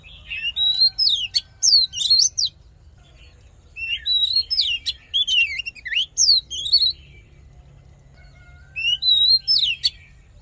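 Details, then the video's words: Oriental magpie-robin fighting song, used to train the voice and excite males: three separate bursts of loud, rapid, sliding whistles with jumpy pitch, divided by quiet gaps, and a steady low hum throughout. "Hót Đấu Kích Trống Căng Lửa || Luyện Giọng Chòe Than"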